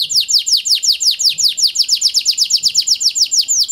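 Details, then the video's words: Kenari panda (a canary) lure song for canaries that will not sing; an even, rapid series of high, downward-slurred notes, nearly three per second, loud and clean. "Pancingan Kenari Panda AMPUH, Membuat Kenari Malas BUNYI Jadi Bunyi"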